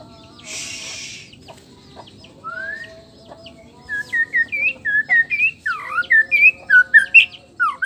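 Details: Male white-rumped shama, black-tailed Nias form, singing to provoke other males; a brief burst of hiss and a single rising whistle, then a fast run of clear upslurred whistled notes and deeper swooping phrases.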